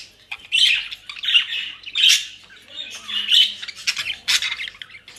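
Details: Pet budgerigars in the Netherlands enjoying dry leaves and grass from a bird shop; grating, buzzy squawks come in uneven bursts about every second, mixed with brief sharp chirps, indoors.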